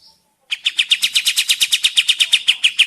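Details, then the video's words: Sooty-headed bulbul lure recording meant to make other birds answer and sing: after a short silence, a fast, steady run of harsh, buzzy chirps, about seven per second, continuing without a break to the end. "Burung Kapas Tembak mana yang tidak nyaut dan gacor dengan pancingan ini"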